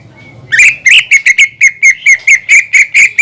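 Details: Caged greater green leafbird song used to provoke other leafbirds into singing: after a faint thin whistle, a steady run of sharp loud chirps about a quarter second apart.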